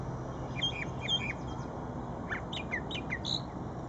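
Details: Brown thrasher singing at Shred-It Pond, giving quick high chips and short downslurred notes in loose groups, fairly soft against a steady low rumble.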